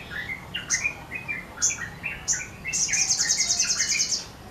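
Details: Olive-backed sunbird singing vigorously while opening its wings: high, thin chirps and sharp notes, about three per second, then a fast, very high-pitched buzzy trill lasting over a second.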